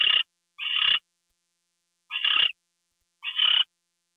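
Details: Owl on 2 February 2013, 10:43 PM, as a gopher is delivered. Four harsh, hissing bursts come in a quick pair, then two more after a pause of over a second.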